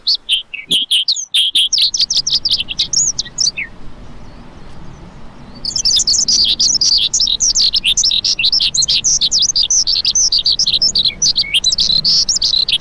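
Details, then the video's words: Lark calling in fast, jumbled high twittering; a sharp click near the start, the chatter stops for about two seconds midway, then resumes denser and unbroken to the end. "Lark Calling Sound"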